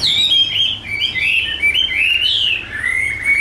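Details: Chinese hwamei, a tame bird with a big build, singing during a fighting display: fluid, sweeping whistles rising and falling in continuous connected phrases.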